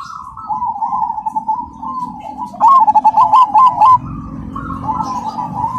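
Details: Vocal cemani-type zebra dove with a loud, clear, rhythmic song: wavering trilled coos building into a sharp, louder pulsed burst near the middle, then more rolling notes.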